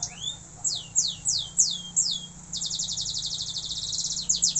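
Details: Canary practising song: a few spaced, swooping descending whistles, then a fast, buzzy high trill, closing with more quick downward notes.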